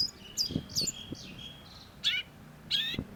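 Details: Brief snatch of long-tailed shrike (cendet) song: swooping whistled slurs and a thin sustained note, followed by two strong harsh chattering bursts, with light knocking noises underneath.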